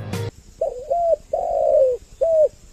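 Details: Caged spotted dove, a decoy bird of six years, after a sharp click gives a wavering coo, a long falling coo and a final short coo, with a faint steady high tone behind.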